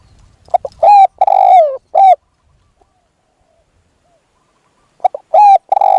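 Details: Spotted dove decoy luring a wild dove, giving two coo phrases: quick stuttered notes lead into a long descending coo and a short final coo, with a soft low rumble at the start.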